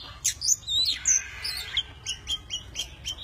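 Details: Tame Oriental magpie-robin singing while spreading its wings and fanning its tail, a varied many-voiced song: high whistled notes and short chirps, some slurred downward, delivered in quick bursts over a faint low hum.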